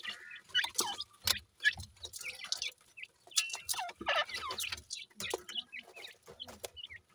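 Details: Young grey francolins playing together: quick, thin peeping notes, several falling in pitch, come in irregular clusters, with soft clicks and scuffling in between.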